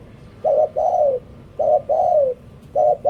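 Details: Close, loud decoy spotted dove: a short coo, then a long smoothly falling coo, the pair repeated after a short pause, the background quiet.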